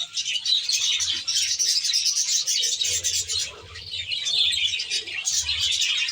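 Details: Flock of budgerigars kept in an aviary: a continuous dense wash of high, scratchy chirps and warbles from many birds at once, with a low hum underneath.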